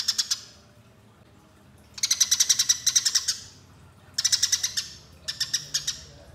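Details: Used as a lure, this Eurasian tree sparrow fighting call comes in clustered bursts of rapid, bright chirps, roughly three per second, separated by quiet pauses of over a second.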